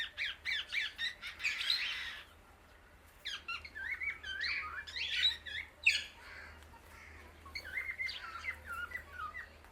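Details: Indian ringneck parakeet calling loudly to other birds: bursts of harsh, rapid chirps and squawks in quick clusters, with quiet gaps between phrases and a faint low hum underneath.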